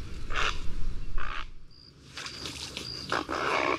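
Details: Great blue heron giving short, harsh, rasping squawks in separate bursts, with thin high whistled tones from other birds between them and a low rumbling background.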